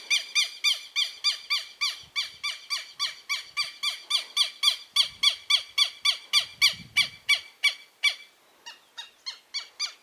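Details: Freshly hatched southern lapwing chicks calling; a fast, evenly spaced run of short harmonic squeaks, roughly three or four per second, breaking into looser clusters toward the end.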